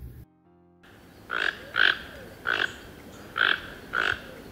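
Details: Toco toucan giving five hoarse, croaking low calls likened to cattle lowing, each brief and spaced about half a second to a second apart, over a low background hiss.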